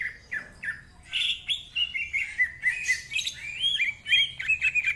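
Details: Cucak ijo, the greater green leafbird, in tight, rapid 'ngentrok' song with a rough voice: harsh squawk-like bursts, wavering whistled phrases and a closing flurry of quick, repeated sharp notes.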